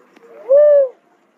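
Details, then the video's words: Single drawn-out, mellow whoop from a cuckoo-dove, swelling in and sliding gently upward before fading, in an otherwise quiet setting. "cuckoo dove call sound"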